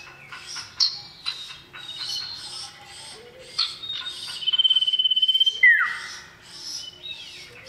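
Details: Male common iora (sirdung) calling a female: a busy run of chirps and clicks, then a level pulsing trill finishing in a loud down-slurred whistle.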